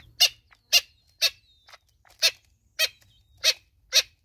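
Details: Natal spurfowl mother with chicks in South Africa gives short, harsh, scratchy notes about twice a second, with faint thin high whistles in the background.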